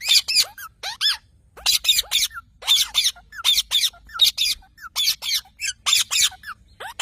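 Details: Parrot giving a rapid run of harsh, grating squawks, often bunched in pairs or threes, continuing steadily for seven seconds with short chirps slipped between bursts.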